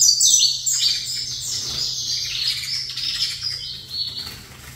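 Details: Saffron finch, set facing a rival saffron finch, giving a blurred, continuous run of high twittering notes that fades toward the end, over a low background hum.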